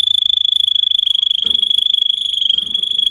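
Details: Singing Russian canary, song meant for teaching other canaries: a fast, steady rolling trill on one high pitch, about three to four pulses a second, held throughout with a faint low murmur beneath.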